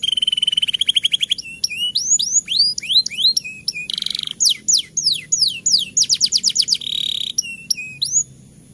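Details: Canary song used as a lure to stimulate singing in the rainy season: rapid rolling trills, repeated rising and falling whistled sweeps, and a buzzy tour, high-pitched and continuous.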